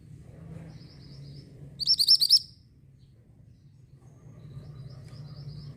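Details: Orange mantenan bird singing, used to tutor white-rumped shama: a short burst of high, rapid arched chirps over half a second, with faint higher twitters before and after and low background hum.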